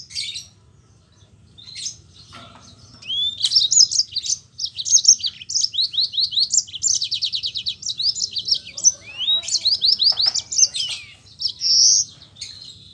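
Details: Yellow-fronted canary singing energetically with rolling phrases, used to prompt reluctant canaries to sing: after a quiet start, rapid high trills and buzzy repeated notes run almost without pause for about nine seconds over a low steady hum.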